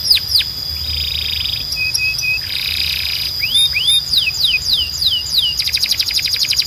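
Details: Belgian canary song: buzzy rolls, clear flat whistles, quick falling swoops and a fast rattling trill, all high-pitched, over a steady high whine.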